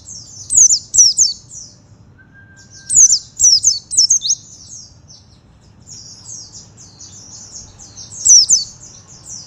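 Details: Oriental white-eye song in buxto forest mode: high, sharp twittered bursts of looping, slurred notes, then a long softer chattering run. A brief faint whistle and low steady rumble sit underneath.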